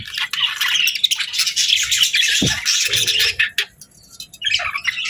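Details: Budgies kept as pets chirping: quick, buzzy warbled chatter for three seconds, a sharp low tap midway, then the chirping thins to scattered short notes before resuming briefly at the end.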